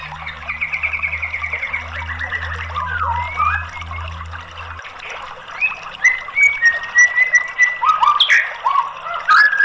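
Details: White-rumped shama lure song meant to make a silent bird sing: soft whistles over a low steady hum at first, then louder, varied slurred whistles and short upward notes after the hum stops.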